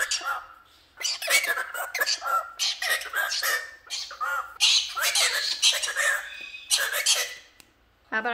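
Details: Vinny, a male galah cockatoo, rants angrily in raspy, speech-like bursts, harsh and emphatic, with brief pauses, apparently upset at having his box taken away.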